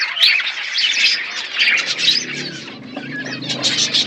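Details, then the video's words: Budgerigars in a colony chirping: a thick blend of high warbling chatter and squeaks, with a low steady hum underneath. "Budgies colony setup birds chirping sound"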